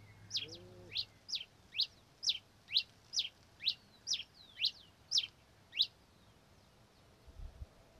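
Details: Red-crested finch (Coryphospingus cucullatus): about eleven crisp, high, down-slurred notes at roughly two per second, then quiet, with a faint low hum and a soft lower note near the start.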